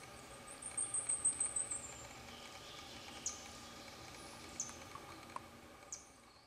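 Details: At a stream in Fairfax Station, Virginia, where two blackpoll warblers bathe, a quick run of about eight thin, very high ticking notes growing louder, followed by a few isolated sharp chips against the babble of flowing water.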